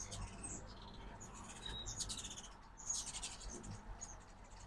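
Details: Morning at a backyard feeder in Oxford, Mississippi, where fall-migrating ruby-throated hummingbirds give rapid, very high squeaky chatters and chips in repeated bursts over faint background noise.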